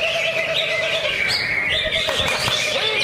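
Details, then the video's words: Greater green leafbird (cucak ijo) held in a lovebird cage, delivering nonstop ngentrok song packed with filler phrases: busy overlapping chirps and warbles, quick rising and falling slurs, and a steady low wavering note beneath. "Cucak Ijo Kandang Lovebird Ngentrok Full Isian, Nembak Rapet Geter Geter"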